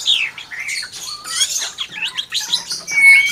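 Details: Mimicking hill myna delivering a fast jumble of squeaky whistles and buzzy notes, ending on a long, steady high whistle.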